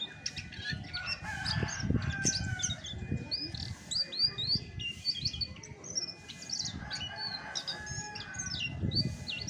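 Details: Chestnut-backed thrush in natural voice, clear separate whistled notes and upward-flicking chirps delivered in quick sequences, with intermittent low knocking and rumbling and a constant thin tone.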